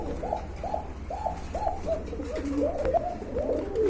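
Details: Kept pigeons of local and foreign breeds cooing: short arched low notes repeat about twice a second, then give way to rougher, overlapping coos over a steady low hum.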